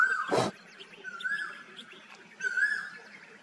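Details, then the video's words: Asian koel, with a male and a female said to be heard. Two loud, clear whistled notes swell and rise in pitch, about a second apart. A sharp broadband knock comes before them, and faint birds chirp behind. "Koyal ki awaaz /male and female koel bird sound/"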